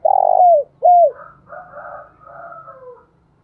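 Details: Decoy spotted dove calling, beginning with a strong flat coo that slides downward, then a second shorter falling coo, followed by fainter, overlapping coos trailing off.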